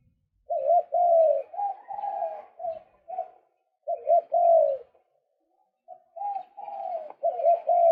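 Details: Calls of a male White-breasted waterhen used as a bird lure: mid-pitched, slightly wavering hooked notes strung into phrases, with pauses of about a second between bursts, against a quiet background.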